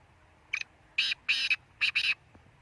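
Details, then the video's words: Harsh, ratchety call of a black francolin: a short opening note, two drawn-out grating bursts and a quick doubled finish, set against a low steady background rumble. "سندھی تیتر کی بولیاں"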